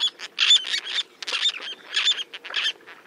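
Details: A small flock of roseate terns (Sterna dougallii) diving for fish off the coast at Hauxley, Northumberland, in July 2012, giving harsh, raspy, high-pitched calls in quick overlapping bursts about every half second.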